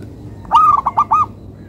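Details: Local zebra dove (perkutut) delivering one clear, melodious phrase: four quick coo notes in a bouncing rhythm, the first drawn out, the rest short and evenly spaced.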